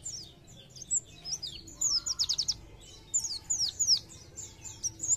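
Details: Oriental white-eye in energetic 'gacor nembak' song: sharp high chirps, then a fast run of five stacked downward notes near the middle, followed by more slurred twitters over a soft low background hum.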